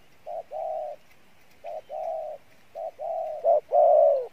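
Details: Spotted dove cooing, described as having a good voice and fairly good coo: three phrases of a short note followed by a longer level coo, then a louder closing phrase with a swelling final coo.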